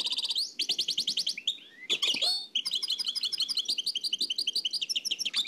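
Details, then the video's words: Old cassette transfer of a nightingale singing the Oued El Alleug style: pulsing trills, a brief sweeping phrase, then a long run of fast repeated notes. "تغريد واد العلايق نقلته عن كاسيت قديم بصحتكم خاوتي معمر روسينيول"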